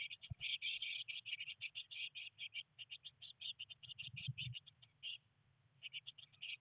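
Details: Three Eurasian blue tit nestlings on day 19 in a nest box, in a rainy spell with first flight attempts, give a dense, fast stream of high, thin chirps, about ten a second, with one pause over a low muffled rumble.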